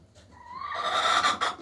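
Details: Hen laying eggs lets out a single rising, drawn-out squawk that grows louder and coarser over under two seconds.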